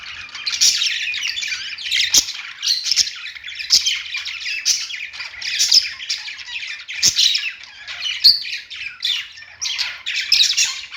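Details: Budgies on a perch give a steady stream of scratchy, chattering warbles and short squawks, several birds at once, with sharp clicks scattered through the bursts.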